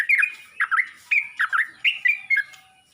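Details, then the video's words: Yellow-vented bulbul summoning other bulbuls with loud, clipped chirps in pairs and short bursts, some notes dipping then rising, delivered in quick clusters over three seconds. "Burung trucuk ini pandai memangil burung trucuk lain"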